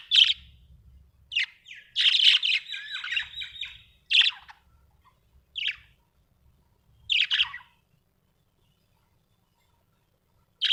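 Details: Budgerigars kept as home pets, calling with sharp high chirps and a longer harsh warbling burst, then isolated notes spaced a second or more apart in a quiet room.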